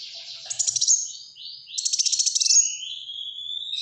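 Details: Black-throated sunbird in lively, dense song: high thin trills and sweeping whistles, rapid ticking bursts twice, then a long rising-falling sibilant note.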